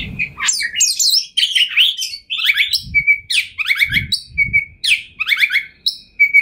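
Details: Oriental magpie-robin, known locally as kacer, a 2021 champion singing in full varied material. Tumbling chirps and downslurred whistles alternate with short flat whistled notes, joined by intermittent low thuds.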